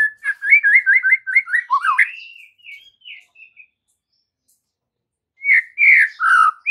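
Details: White-rumped shama lure song for young trotol and pastol birds, played in the afternoon; a brisk repeated looping whistle about six times, a dipping note, softer trailing whistles fading out, then a loud burst of varied notes.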